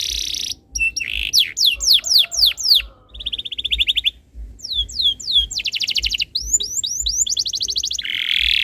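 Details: Canary tutor song aimed at prompting other canaries to sing, with choppy phrases: short trills, quick down-slurred whistles repeated several times, a lower rattling trill, and a final harsh buzzy note.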